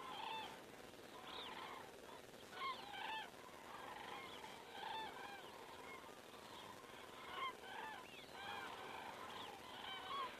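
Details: Common cranes flying over in the evening, 19:10 on 19 September 2017, picked up by a crane camera in Estonia; many birds give overlapping trumpeting, rolling calls in repeated bursts every second or two, a steady flock chorus.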